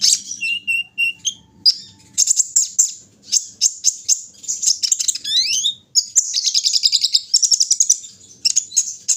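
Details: Early morning, a kolibri ninja sings lively high twitters, repeated lower whistles, a rising slurred note and a dense, rapid chatter of sharp chirps near the end.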